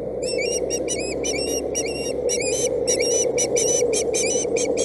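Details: Insistent high squeals from a Boulder County osprey chick on 8/7/17, unhappy that its mother arrived with a stick rather than fish, repeated several times a second against a droning hum.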